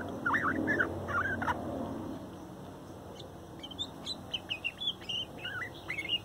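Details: A young male bird, the strongest chick of a 2019 nesting, softly sings his complex morning song: low warbled slurs first, then a quieter run of small high twittering notes over a faint hum.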